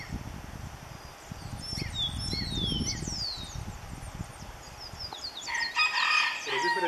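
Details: A red-crowned woodpecker in the Cordillera Central near Salento, Quindío, Colombia, recorded in 2013 during biodiversity monitoring, gives a harsh, rattling churr near the end, after thin, falling whistles from other birds over low wind rumble.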